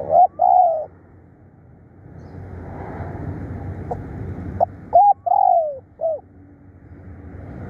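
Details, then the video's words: Spotted dove kept as a decoy and calling diligently: a double coo, a pause of several seconds with low hum, then a short coo, a drawn-out falling coo and a final clipped note. "เสียงต่อนกเขาใหญ่ ดุดัน ขยันเรียก"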